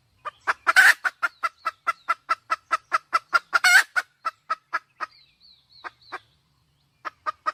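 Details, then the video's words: Wild red junglefowl hen clucking in a fast steady series, broken by two louder rasping bursts, then a few higher thin notes and scattered clucks near the end. "Tiếng gà mái rừng"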